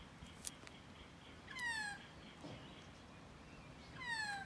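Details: Close magpie giving two plaintive, drawn-out descending mewing calls about two and a half seconds apart, with a faint click between them.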